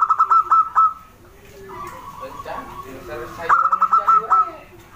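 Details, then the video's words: Local wild zebra dove singing actively: bursts of rapid, clipped ringing notes with overtones open and close the passage, separated by a quieter stretch of soft, low, wavering murmurs. "Perkutut lokal alam gacor,| Kecil Mungil Suara Enak didengar."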